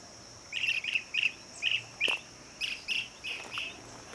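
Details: Blue-cheeked bee-eater at lunch time giving about ten short, rolling, trilled calls, roughly two or three per second, over a faint steady hiss.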